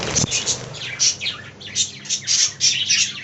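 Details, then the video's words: Budgerigars in an aviary colony give bursts of high, scratchy chirps and warbles, rising and falling in quick clusters about every half second, with a low steady hum underneath. "Budgie Talking Compilation"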